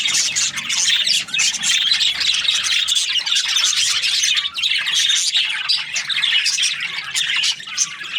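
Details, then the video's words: Budgies chirping in the morning, a flock keeping up dense, continuous high twittering and warbling chatter with quick overlapping chirps and squawky notes throughout, the volume staying steady. "Amazing budgies chirping sounds in the morning"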